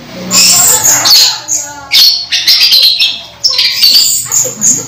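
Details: Orange-headed thrush near its moult but still in full voice, caged: a busy stream of high, sharp whistles and chattering notes in quick bursts separated by short gaps; faint voice in the background.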